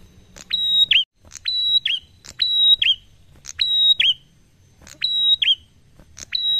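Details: Prinia singing the unhurried 'ngalun' style used to draw other birds into song: a brisk run of about seven phrases, each a sharp click, a steady high whistle and a falling twist, with soft low rumble behind.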